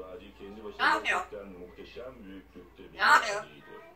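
An African grey parrot talks in speech-like phrases, with two sharp, hissy bursts about two seconds apart; people's voices and faint music are heard too.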